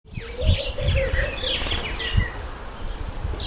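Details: Speckled pigeon in a flock, giving a low wavering coo held for over a second, with high chirps and twitters from other birds above it and low rumbling background noise.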